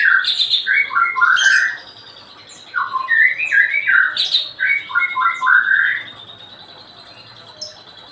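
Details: Daily singing of a white-rumped shama, a run of clear fluting whistles and quick slurred notes in two bursts, then a quiet stretch near the end.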